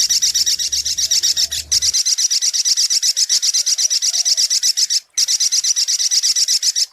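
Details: Sunbird, known locally as sogok ontong, recorded for luring: a rapid high-pitched rattling trill of evenly repeated notes, about four per second, continuing almost unbroken with two brief pauses. A faint low rumble is heard early on.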